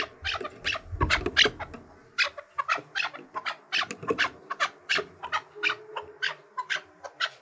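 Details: Chukar partridge trained for fighting, calling to challenge rivals: a fast series of harsh clucking notes, loud and clustered at first, then evenly spaced chuks roughly every third of a second.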